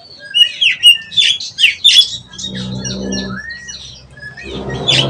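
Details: Young Oriental magpie-robin learning to sing: a string of harsh squeaky chirps and short whistles, then a long rising whistle amid a background hum.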